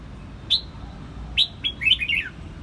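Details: Red-whiskered bulbul in Quang Nam, Vietnam gives two sharp whistled notes followed by a quick tumbling phrase of falling warbles, clear above low background hum.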